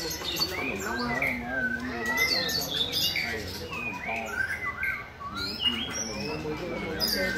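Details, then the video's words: White-rumped shama with a rhythmic singing style, giving clear whistled slurs and short looping phrases mixed with harsher notes, over low background murmur. "Mỏ đuôi cánh đồng bộ (shama bird)"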